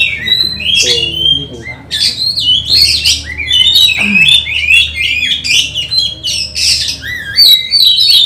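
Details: Oriental magpie-robin under mental training for a songbird contest, hung at home, delivering a loud, varied song of whistled and scratchy notes, sweeping slurs and harsh bursts, with a steady low hum underneath.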